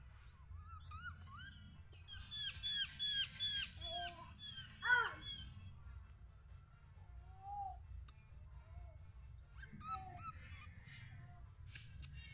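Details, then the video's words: Sooty-headed bulbul singing a burst of short, bright, rising whistled notes repeated rapidly, then scattered single chirps and a brief louder note, over a steady low rumble of background noise. "burung kutilang"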